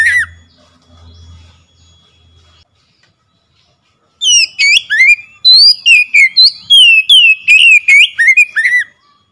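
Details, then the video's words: Oriental magpie-robin song used as a lure to get a silent bird singing: after a few seconds of faint low hum and near silence, a loud, fast burst of sharp, slurred whistles and chirps runs for about five seconds. "PANCINGAN CEPAT MENGATASI KACER MACET BUNYI CEPAT NGEPLONG GACOR"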